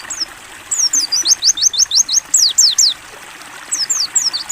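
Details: Mountain white-eye song prepared as training material for caged birds: a fast run of high, bright, descending notes repeated evenly, a brief gap, then more chirps, with trickling water in the background.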